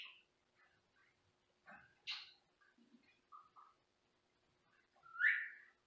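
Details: Pet Senegal parrot indoors giving a varied series of short chattering and squawking notes, one harsh burst midway, ending in a loud drawn-out rising screech.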